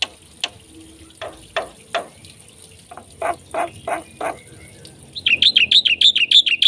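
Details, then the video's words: Black-winged myna singing: a series of short, lower, clicking and knocking notes at uneven intervals, followed by a rapid burst of high, whistled notes repeated quickly. "suara jalak putih gacor full isian"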